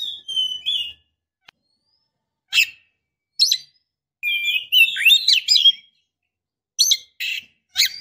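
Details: White-rumped shama female in breeding condition calling the male, with drawn-out whistles, scattered sharp chips, and a dense burst of looping whistled notes midway, separated by quiet gaps.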